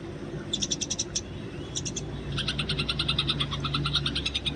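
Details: Eurasian tree sparrow in the wild, fighting, recorded for training: short bursts of quick, high, metallic chirps, then a longer run of fast chirping at about three per second, over low steady background hum.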